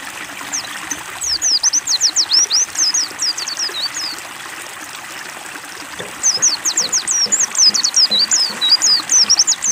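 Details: White-eye (pleci) kept in a cage, given water therapy to start it singing; two bursts of quick, high, slurred chirping notes separated by a pause, with running, trickling water throughout.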